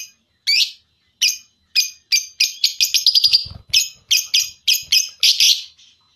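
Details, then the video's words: Lovebird on a four-hour champion mastering recording used to train lovebirds for singing contests: sharp, high chirps in quick bursts, speeding into a tight run of rapid notes near the middle, then spaced chirps again. "Masteran loveBird Juara Full 4 Jam"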